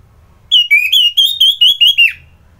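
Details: ['Anis merah (orange-headed thrush) in Kubutambahan, Bali, gives a rapid series of loud, clear whistled notes, nearly even in pitch, closing with a falling slur, in the morning.']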